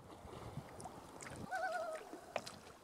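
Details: A Common Loon on a lake in the Kejimkujik area, Nova Scotia, gives a soft, short, slightly wavering hoot, then a brief second note, keeping contact at close range, over lapping water and boat noise.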